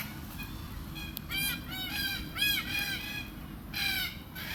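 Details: Red-tailed black cockatoo in Australia feasting on Beach Almond (Terminalia catappa) seeds. Several harsh, rolling calls rich in harmonics arrive in a burst mid-clip, then one more near the end, over a low rumble of background noise.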